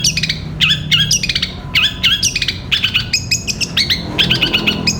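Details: Energetic Long-tailed shrike song, 'gereja petir' type, used to train caged birds: clipped, bright chirps in tight groups of three to five, with short gaps between bursts.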